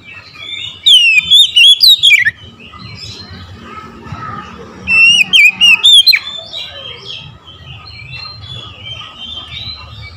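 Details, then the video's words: Oriental magpie-robin morning song: two bright bursts of rapid, slurred whistles about four seconds apart, surrounded by continuous quieter warbling and chirping. "OCEHAN KACER DI PAGI HARI"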